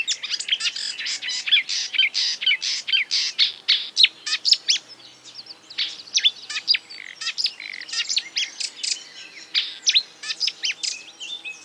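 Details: Marsh warbler copying other birds in a long, dense stream of high clicks, chatters and brief whistled snippets, about two notes per second, varying constantly in shape and loudness.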